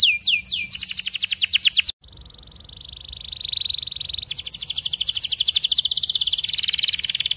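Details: Canary training song for young canaries: quick descending sweeps into rapid trills, a pause, a soft level roll, then a long loud pulsing trill.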